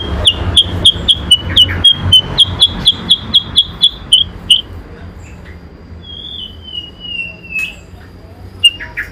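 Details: Light-vented bulbul in a singing contest against a magpie-robin; a rapid series of clear, sharp high notes at about four per second for four seconds, followed by a long descending whistle and a few scattered chips.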